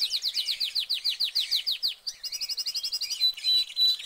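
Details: Caged canary song with a run of swooping repeated notes followed by a faster rattling trill and short whistled tones.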